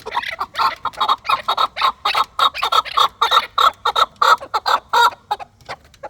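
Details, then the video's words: Steady chanting of a chukar partridge: a run of even, harsh clucking syllables, about two per second, repeated without a break for six seconds. "Кабки Дулани чанги"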